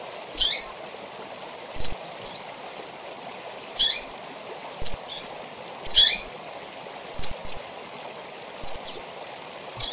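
A seedeater gives short, high, bright chirps and brief twittered notes, spaced about one to two seconds apart, over a steady rush of flowing water.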